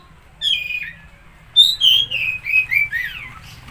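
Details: Kacer, the Oriental magpie-robin, sings to rouse a stressed or silent bird: clear, varied whistled phrases sliding up and down, first a short phrase, then a run of five or six ringing, rapid notes.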